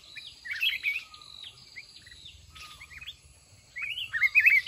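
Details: Caged mountain red-whiskered bulbul at a fight-trapping test, after a month in the cage, uttering warbled whistled bursts at the start and end with thin chirps and low rustling noise between them.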